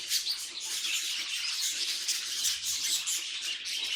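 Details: Pet budgerigar making playful noises: dense, continuous high-pitched chattering and warbling with rapid scratchy twitters and squeaks, no pauses, at a steady level throughout.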